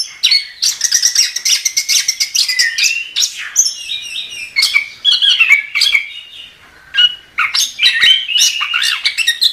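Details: Chestnut-capped thrush in continuous, energetic song. Rich overlapping whistles and warbled phrases run fast, with buzzy high notes, slurred drops and a short lull before the song resumes.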